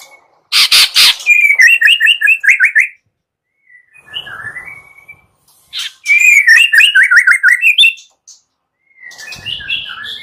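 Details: White-rumped shama morning lure song with harsh 'kasaran' elements. Rasping broadband bursts lead into a fast run of repeated chopped whistles, soft twitters, then a second raspy burst and rolling whistled series, with quiet notes closing.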